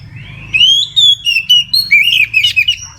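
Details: Midday full 'ngeplong' song of an Oriental magpie-robin, meant to prompt other magpie-robins to sing: a long rising whistle, then a quick string of bright whistled and chirped notes with slight pitch dips, over a faint low hum.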